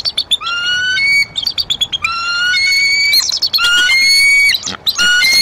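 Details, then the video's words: Bald eagle pair at a Decorah nest, 16–17 April 2023, cold weather, chick present. Repeated long, thin, rising whistles with harmonics alternate with rapid high chittering, almost continuous for over five seconds. "Vocals For Every Occasion / The Young Intruder"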